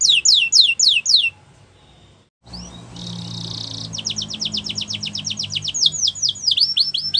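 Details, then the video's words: A Yorkshire canary sings for training: a rapid series of high, sweeping notes, about four per second, broken by a short gap and followed by rolling trills, over a faint low hum. "Canaries Singing For Training | Yorkshire Canary"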